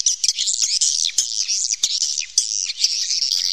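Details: Swiftlets recorded naturally inside a cave, giving a dense, continuous stream of high, thin twittering chirps with short buzzy notes that overlap without pause.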